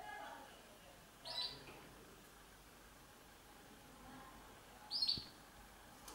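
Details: Female red factor canary building the nest: two brief, high, sharp chirps about four seconds apart over a quiet, faintly hissing background.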